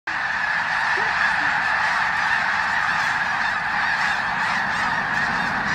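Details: A huge flock of snow geese taking off at Bosque del Apache calls at once, a dense, unbroken roar of nasal, yelping honks with a rushing background of wingbeats.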